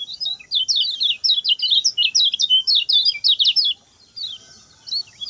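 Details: Lemon-bellied white-eye, short fast song used to tutor birds: nearly four seconds of quick high twittering notes, then quieter, with a faint single chirp near the end.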